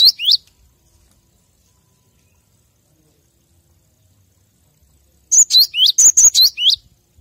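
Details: Gelatik batu (cinereous tit) song used as a master for training captive birds. A short pair of high slurred whistles opens, then silence, then a rapid run of about eight bright, sharply dropping whistled notes.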